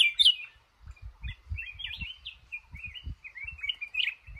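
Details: Red-whiskered bulbul male being trapped in a cashew garden gives a rapid run of chirpy, bubbling notes, about four per second and irregular, over soft low rumbling noise.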